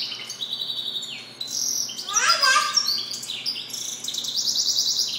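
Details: Goldfinch mule, a goldfinch hybrid, singing: a fast twittering run of high chirps and trills with buzzy notes, one stretch dropping into a rapid descending cascade mid-phrase, delivered at roughly three to four notes a second.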